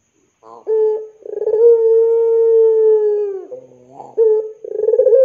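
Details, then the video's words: Puter pelung dove cooing as a lure for young doves: a short trilled start, then a smooth, steady, low note held for over two seconds, followed by a fresh rolling coo. "SUARA PANCINGAN BURUNG PUTER PELUNG GACOR COCOK UNTUK MASTERAN PUTER MUDA"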